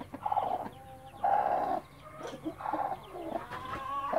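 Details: Blue mother hen with her chicks in a backyard flock; loud bursts of harsh clucking separated by quieter gaps, with faint high chick cheeps between.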